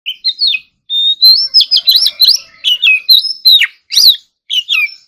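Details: Oriental magpie-robin doing morning singing practice in competition style, giving loud, varied whistled phrases with rising and falling sweeps and sharp chips, delivered in quick bursts separated by short pauses.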